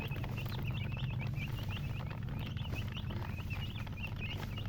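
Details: A group of chicks gives fast, irregular high peeps, roughly a few each second, somewhat sparser toward the end, with a constant low hum beneath.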